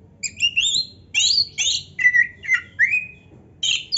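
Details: Oriental magpie-robin singing to excite other magpie-robins: separate phrases of rising whistles, harsh chattering notes and downslurs with short gaps between them.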